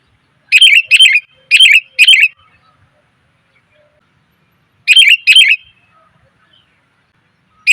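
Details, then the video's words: Female sooty-headed bulbul calling to attract males, a lure sound: a rapid series of four chattering chirps, a long quiet pause, then a pair of similar chirps and the start of another. "suara pikat burung kutilang betina,TOP bangat memanggil pejantan"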